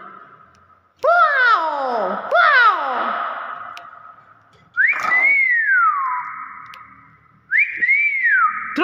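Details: Two loud bursts of harmonic, voice-like downward swoops from a clever hill myna are followed by two separate arched whistles, each rising sharply and sliding down, with a faint hum throughout.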